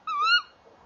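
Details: Pair of Tawny owls calling together at the nest box, evening of 30 January 2014; a single quick, tonal call swelling and rising over a third of a second, then fading into faint background noise.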